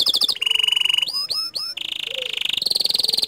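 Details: Bottle-green canary singing tutor phrases whose 'tembakan' is said to anger other canaries: a quick trill, a steady buzzy roll, three looping whistled upsweeps, then two long, even rattling trills, the second higher.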